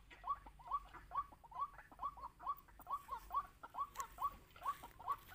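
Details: Wild white-breasted waterhen lured during bird trapping: short hoarse mid-pitched notes repeated steadily about twice a second, over light background noise.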